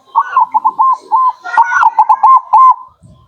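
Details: Local zebra dove song as a lure call, a steady string of short whistled coos at one pitch, a brief rougher patch midway, then more evenly spaced coos.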